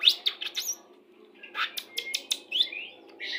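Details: Pastol-type white-rumped shama song, used as a lure during pairing to speed breeding condition: scattered whistles and sharp chips, a short pause, then bright rising and falling whistled notes.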